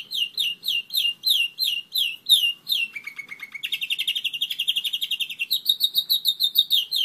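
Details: German Roller-split canary, one year old, singing: quick repeated downslurred notes, a brief low trill, a long buzzy rolling tour, then higher down-sweeping notes at a steady pace.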